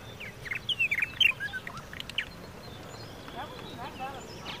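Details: Purple martin: a quick run of sharp, down-slurred chirps in the first second and a half, then scattered gurgling notes and softer chirps, with steady background noise.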